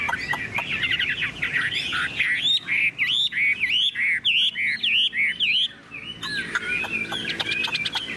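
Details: A tame Chinese hwamei kept in a cage delivers a loud song of clear, wavering whistled phrases repeated in quick succession, with brief pauses between bursts.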